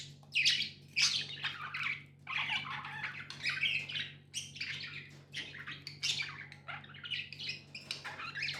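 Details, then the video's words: Pet budgerigars giving a continuous stream of harsh chirps and squawky warbles, closely spaced and uneven, with a steady low hum running underneath. "Budgies amazing love & chirping sounds"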